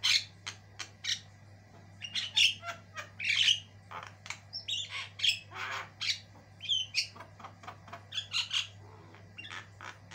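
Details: White-eyed Javan myna in full, energetic song for a tutoring recording: rapid strings of rasping chatter, clicks and thin rising whistles follow one another almost without pause over a constant low hum.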